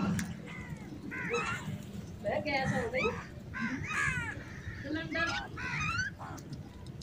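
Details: Crows competing for food produce a rapid series of rasping, bending caws, one after another in quick bursts, over a constant low rumble of background noise.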